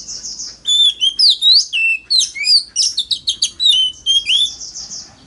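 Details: Oriental magpie-robin lure recording of loud forest-style song for drawing rivals into competitive singing. A soft high trill opens a long, continuous stream of varied whistles, sliding up and down in quick succession.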